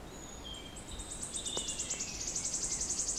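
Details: Wood warbler song recorded on 06-07-16 amid other singing birds: high thin notes speed up into an accelerating, shivering trill that rises in loudness toward the end, the distinctive crescendo, with faint background birdsong.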